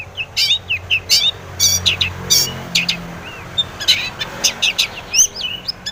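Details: Long-tailed shrike lure recording aimed at making other shrikes reply, a lively string of scratchy notes, chirps and short curling whistles in irregular bursts, with low hum underneath.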